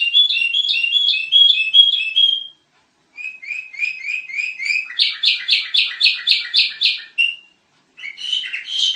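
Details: Sooty-headed bulbul in full noisy song: fast repeated whistled phrases, a brief gap, then a rising chain of chirps and a dense, rapid bubbling run, with silence before a last short phrase.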